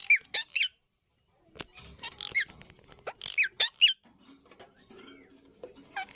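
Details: Harsh, high squeals from breeding Indian ringneck parakeets come in short bunches, with a quiet stretch, then more shrill notes and a low hum from the room.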